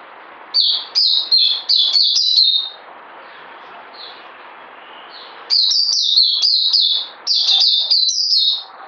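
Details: Bird song in two long bursts of quick, high, down-slurred whistles with brief gaps, plus a few soft isolated notes in between and a constant low background hiss.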